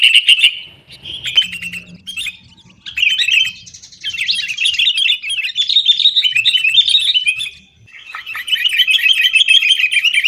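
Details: Sooty-headed bulbul in energetic 'gacor tarung' fighting-style song, used as a lure to get caged bulbuls singing; rapid chattering, bubbling notes in dense bursts, broken by two short pauses.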